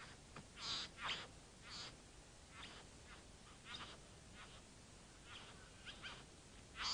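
A bowerbird gives harsh, rasping, hissy bursts at irregular intervals, roughly one every second, over a faint background hiss.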